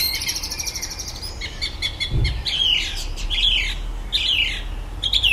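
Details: A common blackbird sings electronic-noise imitations at the bottom of a garden in the evening: a buzzy pulsed phrase, then several squeaky twisting whistles, with a brief low thump.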